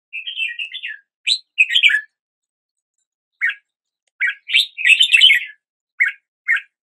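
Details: Red-whiskered bulbul: a rippling warble, then scattered short chirps and upward-swept notes. One jumbled, bright phrase comes in the middle, with silent gaps between bursts.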